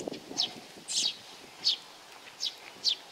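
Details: Sparrows coming for food at a Tenmangu shrine, Nakanoshima, 7 June 2020; five or six short high chirps spaced about half a second apart in a quiet setting.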